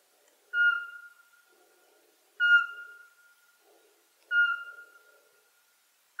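Eurasian pygmy owl giving three clear, mellow whistled notes, each slightly falling and fading, spaced about two seconds apart against a quiet background.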